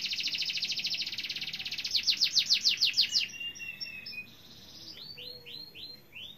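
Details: Canary in full, nonstop 'gacor' song, played to set other canaries singing: a fast, high buzzy trill for two seconds, then quicker pulsed sweeping notes, brief clipped whistles, and finally a run of slurred downward notes.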